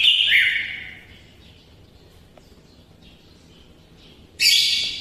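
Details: Greater green leafbird giving a loud whistled phrase with a quick dip, then silence, then a sudden harsh, high burst.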